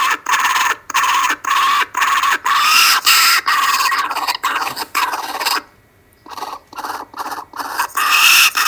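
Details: Kookaburras on a webcam in Australia, Monday 5:55 pm, 12/10/12, one grabbing food: loud, raucous, harsh cackling in rapid rising and falling bursts for several seconds, a brief pause, then noisy chatter resumes.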